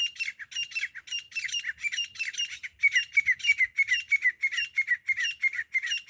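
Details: Grey francolin, known locally as desi teeter or grey partridge, in a hunting recording: harsh, squawking notes repeated rapidly, about three per second, in a steady chattering run through the whole stretch.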